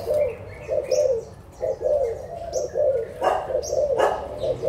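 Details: On 16 March 2022, adult Spotted Doves from Malaysia and Thailand utter short, mellow coo bursts in pulsing groups, broken by two loud rustling thumps and faint twittering from other birds.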